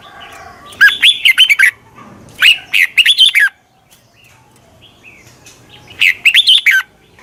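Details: Red-whiskered bulbul used as a decoy to draw in wild birds, giving three lively phrases of rapid chirpy rising and falling notes, with short pauses between them and faint background hiss.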